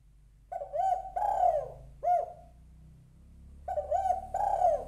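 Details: Calling female spotted dove, used as a lure for males: soft mellow coos in a three-part phrase, short, long and rolling, then a clipped note, the phrase starting again after a pause, light background hum.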